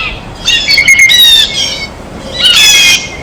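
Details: Two harsh, raspy squawks about two seconds apart come from a blue jay feeding at a feeder, with quiet gaps between.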